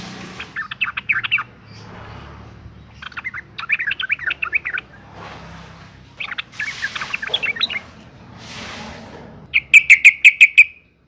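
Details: Female sooty-headed bulbul in breeding condition calling to lure males into song: four bursts of rapid chattering chirps separated by quiet gaps, ending with a quick series of sharp, evenly repeated ticking notes.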